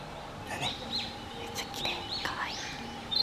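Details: Narcissus Flycatcher heard in a dark, foggy forest along a trail near Takao, Japan, in early morning, singing short, high, curving whistled phrases, faint against steady background noise, with a brief burst of sound at the end.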